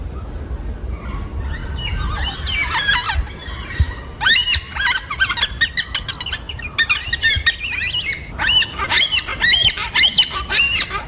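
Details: Yellow-tailed black cockatoos from southeastern Australia, social birds that travel in small groups and use their calls to communicate. Harsh, arching squawks overlap in dense bursts after a quiet start, over a low background rumble.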